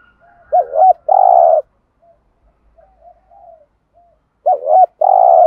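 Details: Male and female spotted doves coo to spur on a trained bird. Two strong phrases open and close the recording, each a quick quavering note then a sustained buzzy coo, separated by quiet low murmurs.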